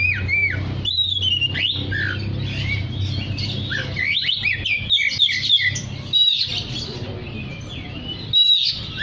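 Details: Oriental magpie-robin singing energetically to call in other magpie-robins: dense, almost continuous chattering and whistled phrases with harsh squawky notes mixed in, a few short gaps, over a constant low hum.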